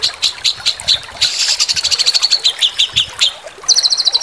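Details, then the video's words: White-rumped shama, a master-song training recording in the linked style. Spaced high chips lead into a dense buzzy rattle, then more chips and a short, very fast high trill. "Masteran Sambung Susun 1 Nafas 3 Pukulan Incaran Juri"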